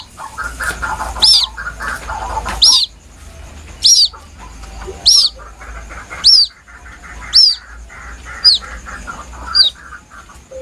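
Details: Plaintive peeping of a White-breasted waterhen chick, used as a lure: about nine piercing downslurred notes roughly once a second, loud at first and then slightly softer, with low chattering between them.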